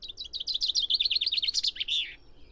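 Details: A common chaffinch delivers a dense, cascading song of rapid, high chirps for about two seconds, finishing with a longer emphatic terminal note.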